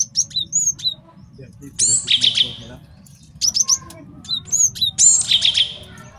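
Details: Male Java sparrow in full song, kept as a master for training and trapping: scattered high clicks and short whistles leading into twice-repeated bright trilling phrases with a rising whistle.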